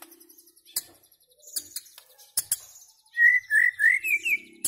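White-rumped shama giving a quick run of five clear, slurred whistles at mid pitch, preceded by scattered sharp clicks and a faint low hum.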